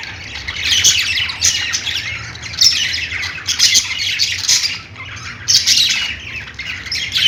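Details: Budgerigars squawk and chirp in uneven waves. Harsh, scratchy calls swell, then dip briefly near five seconds before rising again.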